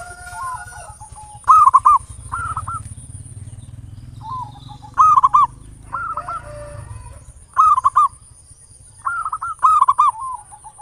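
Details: Zebra dove lure sound, ngayer nulop, for stimulating local doves to sing: loud stuttering coo bursts recur every one to two seconds, answered by softer, more distant trilled phrases from another dove, over low rumble and a faint continuous high tone.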